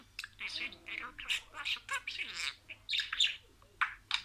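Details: Pet budgerigar saying words in sequence: rapid, high, scratchy chatter with short buzzy syllables and brief squeaks in bursts, gaps between phrases, faint low hum underneath.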